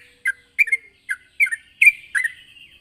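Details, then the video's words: Sooty-headed bulbul calling a rival in a lively, chatty manner: six or so separate short bubbly phrases, each a quick slurred double note, spaced about every half second, clean with no other sounds. "suara burung trucukan gacor memanggil lawan"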